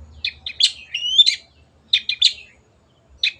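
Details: Caged long-tailed shrike singing on a training recording: clipped chattering notes, then a rising whistled slur, then another cluster of scratchy notes and one final burst, with a quiet low hum.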